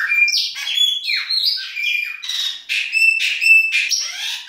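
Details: Winter song of a Chopi blackbird, baianinho style, a dense run of loud whistled and squawky notes, rising and falling slurs delivered almost without pause for over four seconds.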